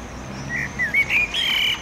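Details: A male common blackbird sings at sunset near a pedestrian bridge over a railway in urban Oradea: a brief fluting phrase of mellow whistled notes that slide up and down, ending higher and brighter, over faint background hiss.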